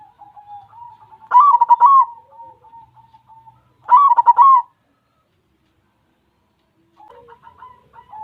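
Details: Zebra dove of white colouring singing steadily: two loud stuttering coo phrases about two and a half seconds apart over soft murmured notes, then a pause and faint rippling calls.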